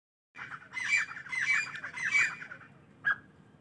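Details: Partridges calling in the morning: harsh, grating squawks repeated in quick bursts for about two seconds, then a single short note after a pause.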